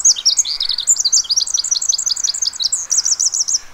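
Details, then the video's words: Pacific wren at Mamquam Spawning Channels, a long rapid cascade of very high tinkling notes and trills, ending in a fast even run of repeated buzzy notes, in a quiet setting. "Pacific Wren"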